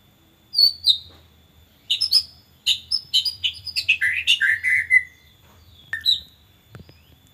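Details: White-rumped shama lure song in an erratic style for training birds: a rapid varied phrase of sharp chirps and rich whistled notes sliding downward, ending in a long descending whistle, then a few separate high chirps, with a faint steady hum behind.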